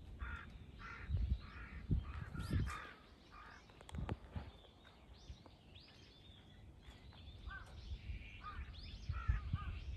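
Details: Crows, three of them, mobbing a hawk on 21 October 2023; harsh, harmonic caws in quick bursts of three or four, then a pause and more bursts, over a steady low rumble of wind or distant traffic.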